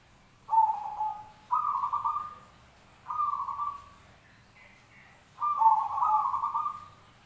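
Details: Zebra dove song in a mixed recording: four purring, trilled coo phrases about a second long, spaced irregularly, with a brief higher note between the third and fourth.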